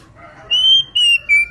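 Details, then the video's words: Oriental magpie-robin female in breeding condition calling its companion; three loud pure whistles, the first level and sustained, the next dropping slightly, the last lower and steady. "burung Kacer betina gacor birahi memanggil temannya"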